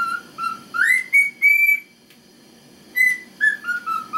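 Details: A male cockatiel whistles the Chocobo theme, a learned melody of clear rising and falling notes in two short phrases with a brief pause, performing excitedly to an indifferent female who keeps eating and drinking; background music present.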